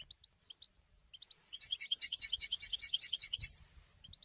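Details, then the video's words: Goldfinch singing: a few isolated high chirps lead into a loud, rhythmic, bell-like trill of repeated tinkling syllables for about two seconds, then scattered soft chirps again. "Golden songs for goldfinch voices"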